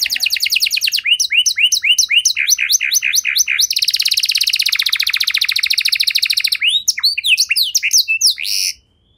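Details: Canary with extended, ornate song for stimulating stalled canaries: choppy paired notes, a long dense buzzy roll, then scattered sharp chirps before falling silent.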